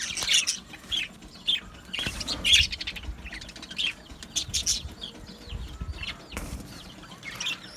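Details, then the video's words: Colony of Australian budgies in an aviary, giving scattered high, bright chirps and short warbled notes in irregular bursts, with soft fluttering and rustling beneath. "Beautiful Budgie singing and chirping sounds"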